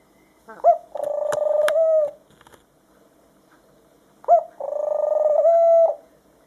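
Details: A tame white dove hand-raised as a pet after falling from its nest, calling to show bonding with its owner: two drawn-out, purring coos, each opening with a short rising note and then a steady buzzing hum of about one second.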